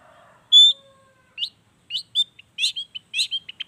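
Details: Long-tailed shrike with natural mimicked fill-ins in its song, a lure to set unwilling shrikes singing: a clear high whistle opens, followed after a pause by clipped chirps and rough double notes.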